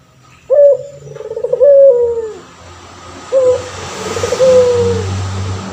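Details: Male puter pelung turtle dove, a vocal bird used as a master voice for other birds. Two cooing phrases, each a short clipped note and a long falling coo, the second phrase softer, with hiss and low hum behind.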